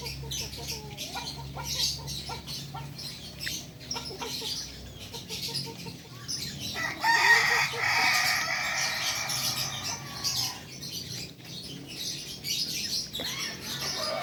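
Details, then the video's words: Kokok balenggek chicken crowing midway: a loud harmonic crow lasting about three seconds, with scattered high chirps and clucks before and after and steady background noise. "Ayam kukuak balenggek"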